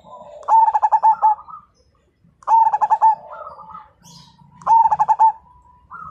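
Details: Zebra dove of the Majapahit type, described as an eager, fighting singer that prompts other birds to join in, giving three loud phrases about two seconds apart, each a stuttering cluster of quick hollow coos trailing into a softer purring tail.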